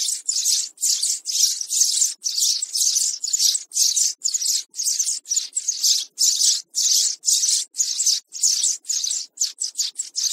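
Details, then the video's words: Young sparrow calls used as a lure for trapping birds: harsh, raspy, hissing bursts repeated about twice per second in a steady, insistent series. "Tiếng sẻ Non"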